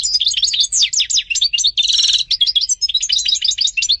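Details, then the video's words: A European goldfinch in steady song, quick liquid twittering notes tumbling over one another with a brief buzzy rattle in the middle, high-pitched and unbroken throughout. "Goldfinch singing - canto del cardellino"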